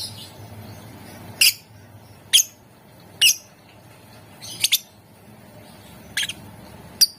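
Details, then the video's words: Lovebird sound intended to prompt other lovebirds to sing: steady series of sharp, high squeaky chirps, some doubled, roughly one a second over a faint hum. "Ampuh buat Burung LOVEBIRD ikutan Gacor, Dijamin Puass Sama suaranya"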